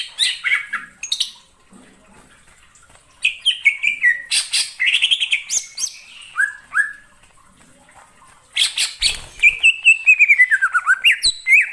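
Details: Cucak ijo lure sound for trapping: bursts of fast chattering and slurred whistles separated by short pauses, ending with a long descending then rising whistled phrase.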